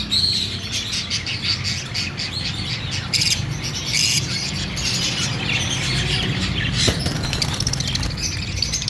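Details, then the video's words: Fischer's lovebirds in a lively chorus of shrill chirps and squawks, bursts of harsh notes clustering around the middle, over a constant low hum. "Fisher love birds Talking ||Lovebird sound||Chirping Sounds"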